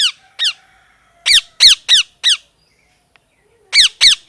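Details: Parrot giving harsh, downward-sliding chirps in irregular bursts: two single calls, then a quick run of four, a pause, and three more near the end.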